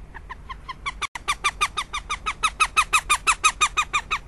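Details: Northern goshawk in Riga, 15 February 2017, a sustained fast chatter of strident nasal notes that builds in loudness and speeds to about four per second, with a short silent break near the start.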